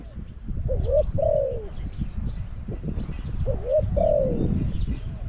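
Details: Spotted dove held in a decoy cage to attract wild doves at Song Phi Nong. It gives two mellow coo phrases about three seconds apart, each a quick rising lead-in and then a drawn-out downward coo, over steady low rumble.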